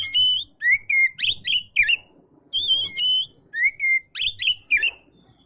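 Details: Relaxed oriental magpie-robin song serving as a tutor for lazy-singing magpie-robins. Loud, clear whistled phrases come in short, regular bursts, each with a sliding whistle and rich overtones, separated by brief gaps.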